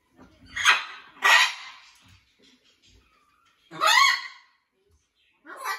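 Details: Blue-and-gold macaw in a rescue sanctuary settling into a new flock: three loud harsh, raspy squawks spaced irregularly, with a faint soft tone between them and another squawk starting at the end.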